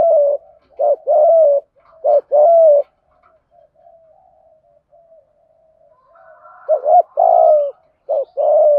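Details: Captive decoy spotted dove in 'gáy gọi một hậu' style, calling to lure wild doves: bursts of mellow coos alternating short and drawn notes, a few seconds of faint murmuring, then the cooing resumes.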